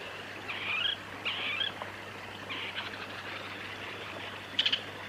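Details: Sacred kingfisher (Todiramphus sanctus sanctus) recorded in Victoria, Australia, December 2018 to February 2019, giving faint, high, scratchy notes, then a quick bright burst of three sharp clicks near the end, over a low steady background hiss.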